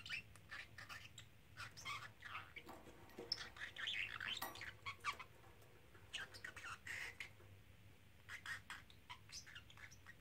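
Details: Three-month-old male parrotlet kept as a pet, chattering and repeating phrases while in or on a small travel cage; irregular bursts of high, buzzy, speech-like syllables with short pauses and a louder stretch around the middle.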